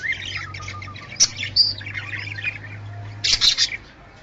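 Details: Budgerigar chatter meant to bring birds into breeding condition: soft warbling chirps with a few sharp high notes, ending in a loud squawky burst, over a low steady hum.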